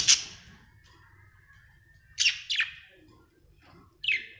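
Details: Contented budgerigar making short, buzzy high chirps: one at the start, a quick double chirp two seconds later, and another near the end, with quiet pauses between.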